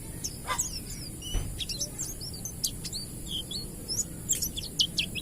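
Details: Wild-type Oriental white-eye song used as a lure to stimulate other white-eyes to sing: rapid, thin, high chirps and twittering notes with short whistled slurs, scattered over a constant background hiss.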